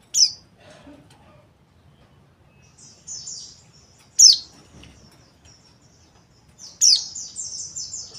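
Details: White-eye in rough ngeriwik kasar style: three loud, sharp, very high notes spaced a few seconds apart, each trailing into thin, rapid, wavering twittering, with quiet gaps between.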